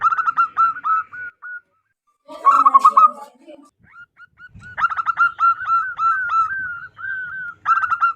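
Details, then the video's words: Loud wild local zebra dove voice suited for luring other doves: rapid chattering coo runs and drawn-out level coo notes, interrupted midway by a brief harsh, noisy burst before the rhythmic stuttering cooing resumes. "PERKUTUT LOKAL ALAM GACOR SUARA BESAR DAN LANTANG COCOK BUAT PIKAT BURUNG PERKUTUT"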